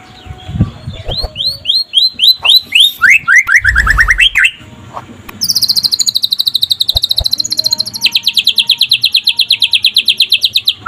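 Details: White-rumped shama singing during the day, used as a master to spur other shamas into song: rapid repeated upslurred whistles dropping in pitch, a pause, then a long, very fast high trill of even notes, with faint clicks behind.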